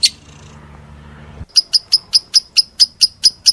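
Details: One shrill chirp from a lovebird, a pause with only a low hum, then a quick steady series of piercing high chirps, about four to five per second.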